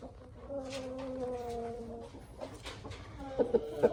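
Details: Young Aseel rooster, six months old, gives a long, steady harmonic crow of about one and a half seconds, ending with a short dip, then sharp clicking taps.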